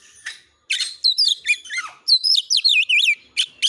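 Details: ['Oriental magpie-robin (kacer) training song, persistent and rapid, used to stir other birds to sing and fight: harsh raspy notes, then quick high whistles that dip and curl in a fast wavy sequence.']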